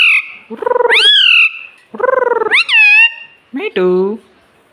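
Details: Pet rose-ringed parakeet talking: two phrases each made of a buzzy pulsed low part rising into a loud whistled glide, then a short clipped double syllable at the end.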